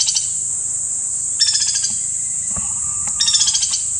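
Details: In Kanha National Park, Madhya Pradesh, India, a white-naped woodpecker delivers quick chattering rattles of repeated notes. A thin steady whistle from another bird is faintly heard between them, all over a loud continuous high insect hum.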